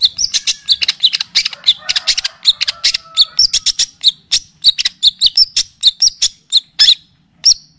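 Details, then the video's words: Cendet, or long-tailed shrike, on a tutoring and lure recording full of kapas tembak and cililin phrases: rapid, continuous chatter of high, squeaky chips, several per second, slowing near the end. "Masteran dan pancingan bunyi burung cendet / pentet ‼️full kapastembak dan cililin"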